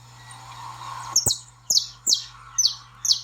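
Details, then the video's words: Saffron finch notes used to excite a pet bird: five loud, sharp high chirps, each dropping in pitch, spaced about half a second apart after a quiet start, over a low hum. "Melhor som de baderna de canário-da-terra \\ treine seu canário-da-terra."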